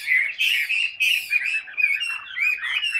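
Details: Chinese hwamei in a cage, displaying with tail and wings as it sings: rich, fluty whistles and quick warbled notes tumbling into one another in a dense, energetic burst of song.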